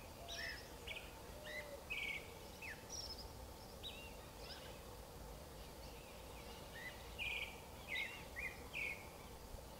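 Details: Creamy-bellied thrush from South America, known for its sad song, delivering a run of brief whistled and slurred notes, some rising and falling, in quick irregular bursts over constant low-pitched background hum.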